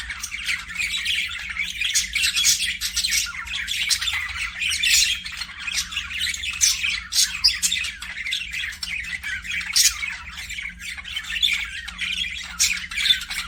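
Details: Budgerigar chorus from an aviary, a steady stream of scratchy chirps and harsh squawks from several birds overlapping, louder peaks every second or two, low background hum.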